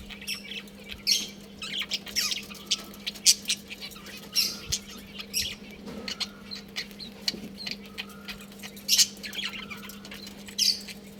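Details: Pet budgerigar colony with scattered, fairly soft, scratchy chirps and squeaks at irregular intervals, a few faint drawn-out whistles, and a low steady hum underneath.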